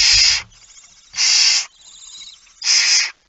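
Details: Barn owl at a nest in the Netherlands, 19 September 2019 before dawn, while food is eaten: three loud breathy hissing screeches about a second apart, with faint rasping between them and a low thump at the start.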